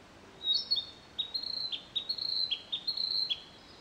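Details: Male Narcissus flycatcher at a breeding site in late May, after a territorial dispute with another male: clear whistled phrases near the top of its range, a run of short rising and falling notes with brief buzzy dips, fairly quiet background.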